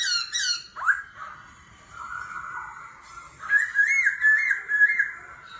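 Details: Laughingthrush in competitive forest-voice singing, switching voice continuously: quick rich notes, a downward slur, a sustained mid-pitched tone, then a run of bright wavering whistles repeated about twice a second.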